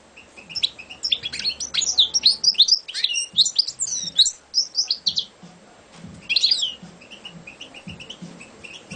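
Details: Champion competition European goldfinch singing a fast, tinkling run of twittering and buzzy notes for several seconds, then a brief pause and a second burst with scattered chips, faint low background noise beneath.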